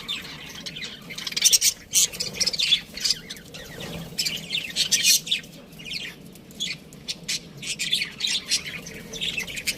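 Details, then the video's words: Parakeet chatter: many quick high chirps and scratchy warbling notes coming in bursts, mixed with a few squawks over faint low background noise. "budgie chirping sounds | parakeet sounds"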